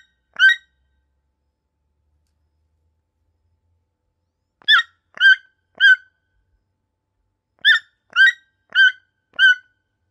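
A toucan gives short, harsh croaking notes, one alone and then in groups of three and four, about half a second apart, against a silent background.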